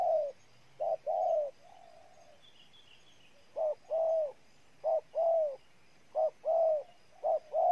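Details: Spotted dove from Ninh Thuận, Vietnam, giving low cooing phrases: a short clipped note followed by a longer, slightly falling hum. Four such pairs are separated by brief pauses, with a faint soft coo in between and a quiet background.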